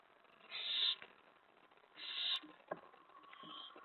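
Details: At the nest at night when prey is delivered, an owl gives two rasping hiss-like begging screeches a second and a half apart, followed by a sharp click and a softer, drawn-out wheezy note.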